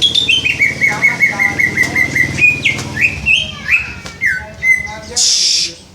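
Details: Greater green leafbird copying the "Om Telolet Om" horn melody, a long series of evenly spaced, flat whistled notes at one pitch, then several higher notes, ending in a brief hissing rustle.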